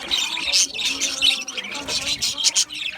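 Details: Budgerigars in an aviary, a flock chirping and chattering together: dense, overlapping high-pitched twitters, squeaks and warbling notes running without pause, with brief louder sharp chirps standing out now and then.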